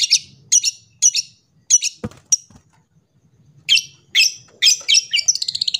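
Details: Long-tailed shrike song for tutoring young shrikes: scratchy, buzzy high phrases, a sharp knock and brief pause, then rapid harsh notes ending in a fast, even trill-like series.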